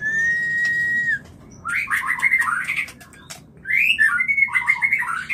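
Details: White-rumped shama mating lure: a long steady pure whistle, a pause, then bursts of warbling whistled notes and clicks, ending with loud rolling rising and falling phrases over a low hum.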